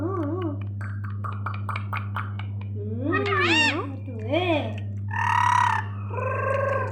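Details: Pet rose-ringed parakeet talking, with a run of varied warbled and wavering mimicked syllables, some meow-like, rising and falling in pitch over about seven seconds against a steady low hum.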